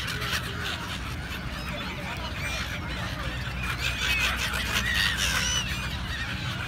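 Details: Many gulls calling together: thin rising and falling squeals overlap in a dense chatter, with a constant low mechanical drone underneath.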